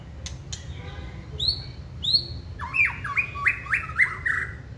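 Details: Caged white-rumped shama, originally wild-caught, in its second season, singing: clear rising whistles followed by a series of about six loud, repeated, down-slurred notes, over a steady low hum.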